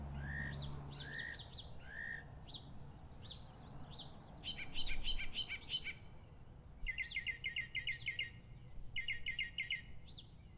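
A mockingbird sings before dawn: bright, varied phrases, each chirp or whistled note repeated in quick runs of three to six before switching, over a low steady rumble.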